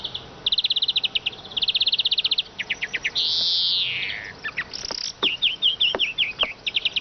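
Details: Eurasian siskin twittering: rapid high pulse trains, then a long wheezy falling note, followed by a string of sharp chirps and short downward-slurred calls.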